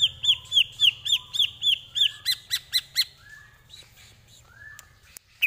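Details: Greater green leafbird in a tutor song for training other birds: about ten clear looping whistles in a steady series, then sharp clicks and a few lower slurred notes, with a faint hum behind.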